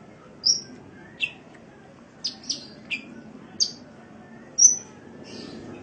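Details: Cage-bird sunbird training recording: a string of thin, high, clipped chirps and short slurred whistles, separate notes spaced under a second apart, with a quiet background murmur.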